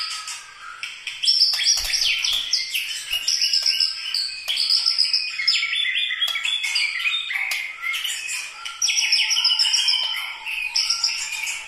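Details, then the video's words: White-rumped shama of the genuine Medan Bahorok Bukit Lawang type, singing its characteristic style: a dense, fast stream of varied high whistles, trills and sharp chirps, with constant shifts in pitch and brief pauses between phrases. "gaya dan ciri khas suwara murai batu Medan Bahorok bukit Lawang asli"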